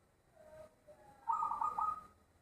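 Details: Zebra dove with a loud voice: a few soft, low introductory coos, then one strong, quickly pulsing phrase of bubbly cooing notes lasting under a second.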